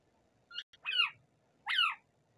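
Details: Rose-ringed parakeet, a native talking parrot, uttering short stuttering chirps followed by two drawn-out, harsh, descending squawks about three-quarters of a second apart, over faint low murmur.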